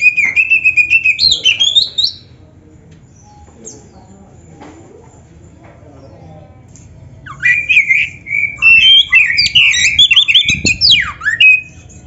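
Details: Singing Oriental magpie-robin (kacer), a champion bird whose rich song with imitations is played to prompt other magpie-robins to respond; bursts of loud varied whistles and slurs open and close the recording, separated by a long quiet gap.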